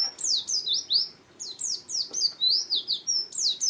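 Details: Oriental white-eye song, used for luring birds and as tutor material for other songbirds: a rapid, high, thin twitter of short downslurred and upslurred chirps, tumbling nonstop with brief pauses.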